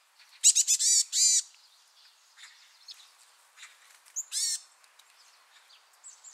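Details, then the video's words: Varied tit with loud, nasal, buzzy calls: a quick cluster of harsh notes, a short pause, one longer buzz, then softer scattered chips and a final buzzy burst near the end. "곤줄박이 우는소리"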